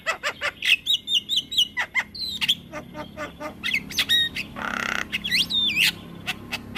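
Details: Rolling song of a black-winged myna used to tutor other mynas: rapid chattering and squawks, short whistled rising notes and a broad harsh rasp near the end, over a low background hum.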